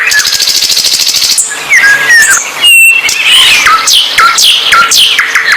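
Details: Songbird in full song, opening with a rapid buzzy high trill, then clear whistled notes and downward-sweeping phrases that repeat in quick succession, loud and close.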